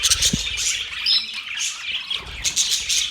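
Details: Several budgerigars give busy high chirps and scratchy squawks in rapid overlapping bursts, the chatter swelling and easing every half second or so.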